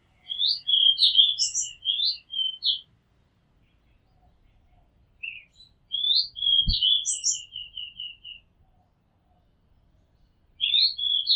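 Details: Oriental magpie-robin singing, recorded from a house rooftop: bright, varied whistled phrases of quick notes sliding up and down, each phrase about two seconds long with pauses between, plus one soft thump.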